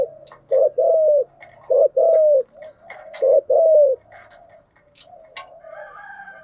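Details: Spotted dove cooing as a lure for wild doves: resonant coos in short bursts, three phrases of a brief note followed by a longer falling one, then softer distant sounds.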